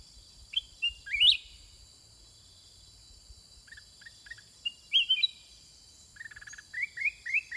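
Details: Sooty-headed bulbul singing back and forth with wild birds: short bubbly, warbled phrases in the upper range, scattered through the clip with a loud burst near the start and quieter call notes between, over steady high insect hiss.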